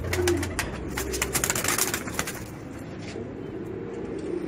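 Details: Racing pigeons cooing low and continuously while a quick series of sharp clattering taps fills the first half.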